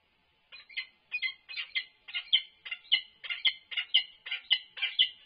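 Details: Resident peregrine falcons at a nest on the UC Berkeley campus during a food delivery; harsh, clipped calls repeated about once a second, some doubled, steady and insistent throughout.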